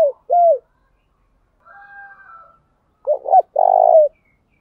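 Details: Spotted dove decoy varying its cooing continuously to attract wild doves. Falling coos open the clip. After a pause with a faint higher wavering sound, a quick pair of throaty notes leads into a long purring coo.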